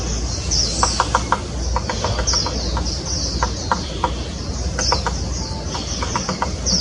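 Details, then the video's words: A Grey-capped Pygmy Woodpecker in Taiwan, 2016, gives thin, high squeaky bursts every second or so, mixed with short dry ticks, over a low traffic rumble. "小啄木 Grey capped Pygmy Woodpecker"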